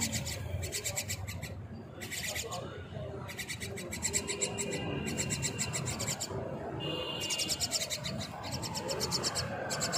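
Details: Myna chicks being fed by their mother give harsh, hissing rasps in bursts of about a second, repeating over and over, with a low rumble of background noise.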